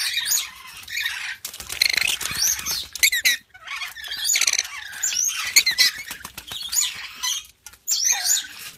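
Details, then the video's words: A yellow-streaked lory gives harsh, screechy squawks in irregular bursts, with rustling and flapping noises between calls. "Yellow Streaked Lory"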